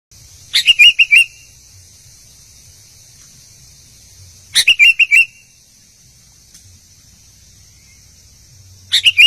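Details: Albino sooty-headed bulbul singing actively: three short bubbly phrases of four quick liquid notes, spaced about four seconds apart, over a steady high-pitched electronic whine and quiet low rumble.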